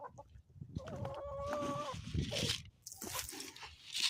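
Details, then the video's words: Morning chickens on a homestead in the Ozarks: a drawn-out, steady nasal call held for about a second, followed by hissing, rustling noise and low background clucking. "relaxing sounds and chickens from the homestead"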